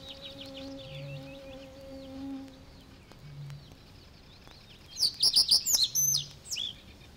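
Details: Reed Bunting in the Matsalu reed beds, USSR, 1979 field recording; faint high twitters and steady low droning tones at first, then a loud phrase of quick, high chirps repeated several times near the end, followed by one softer note.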